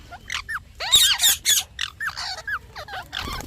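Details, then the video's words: Parrot chatter: a busy run of quick, overlapping chirps and squeaky upward-curving notes, some harsher and noisier, with little pause between them. "Parrot Chirping Sounds"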